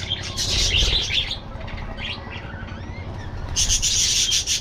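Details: Aviary budgerigars giving loud bright chirps and warbling bursts at the start and end, with quieter scattered notes between.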